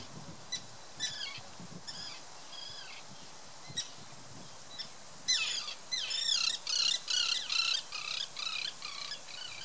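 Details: Common terns guarding chicks on Tatyshev Island, Yenisei River, Krasnoyarsk, June 2016: scattered sharp calls, then a dense burst of loud grating, downslurred cries from several birds, with low background rumble.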